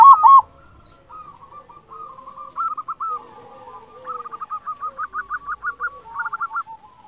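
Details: Local zebra dove singing: a loud opening coo, then softer overlapping strings of trilled, bouncing notes that quicken into rapid pulsed runs near the end.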